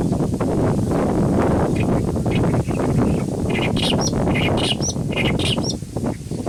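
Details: Clamorous reed warbler in a Kashmir riverine grassland delivering a chattering phrase of short notes alternating with thin high squeaks, building in the second half, while strong wind noise rumbles throughout.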